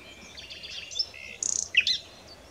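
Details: A common nightingale (Luscinia megarhynchos) sings a rapid mix of high chirps, a fast buzzy rattle and sharp whistled notes in a varied burst, over faint background hiss.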